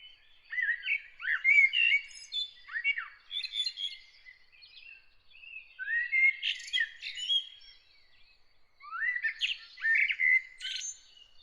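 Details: Early-morning birdsong in three bursts of varied chirps, slurred whistles and short trills, each lasting two to three seconds with brief pauses between, no other sounds present.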